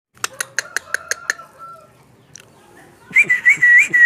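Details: Very tame sooty-headed bulbul mimicking other birds such as starlings, shrikes, lovebirds and magpie-robins: a quick run of sharp, evenly spaced clicks, a fading whistle, then loud repeated rising whistled notes at the end.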